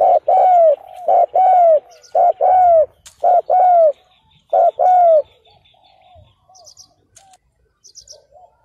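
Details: Ground decoy spotted dove calling to draw in wild males, recorded in 2022. Two loud series of short, rounded coos, each note rising and then falling, are followed by softer, faint coos. Brief high chirps from another bird sound near the end.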